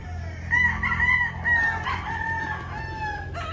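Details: Several roosters crowing in the afternoon at a chicken farm: overlapping long, strained crows that rise and fall and carry on for most of three seconds, a fresh crow starting near the end, with farmyard background hum.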